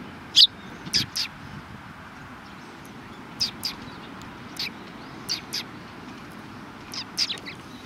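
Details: Sparrows on 10 March 2019 utter a scattered series of brief, bright chirps, roughly a dozen, often in quick pairs, separated by pauses of up to a second or more, with a faint steady hum behind.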